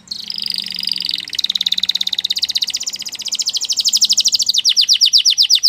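A Belgian canary sings a high, fast rolling trill that shifts midway and ends in slower, louder chopped notes. A faint low hum sits underneath.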